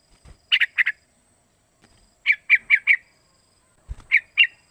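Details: Young sooty-headed bulbul, about three months old, giving calls used as a lure to provoke other bulbuls to sing: short bursts of two to four bright, clipped chirping notes separated by pauses, with faint low thumps.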